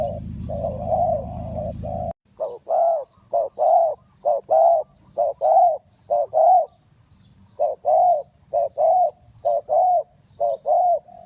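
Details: Spotted dove luring wild doves for trapping, Ninh Thuận: after two seconds of low rumble, clear, loud, hollow coos repeat about once a second in twos and threes against a quiet background.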